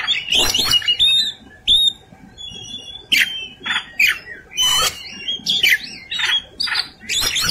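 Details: Kacer (Oriental magpie-robin) in fighting-mode song with elaborate fill-ins: loud repeated harsh, scratchy bursts mixed with brief whistled slurs, delivered in an uneven rhythm throughout.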